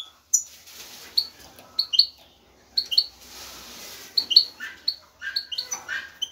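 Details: Male European goldfinch calling to a female to attract her for mating. Short sharp chirps, often paired, repeat at irregular intervals over a soft steady background hiss.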